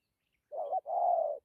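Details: One spotted dove coo phrase with 'dặm' phrasing: a brief wavering low note runs straight into a longer, steady, husky coo.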